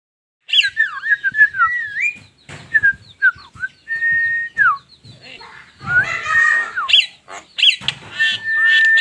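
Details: Javan myna, recording stated to be unedited, giving a run of clear whistled notes that rise, fall and slur, with a long steady whistle and harsher bursts near the end. A person speaks quietly in the background.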